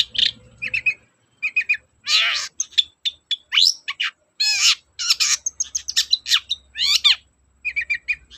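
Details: Long-tailed shrike song meant to stimulate shrikes that are slow to sing: varied rasping phrases, sharp downward sweeps and quick chattering notes with short gaps, loud and high-pitched throughout.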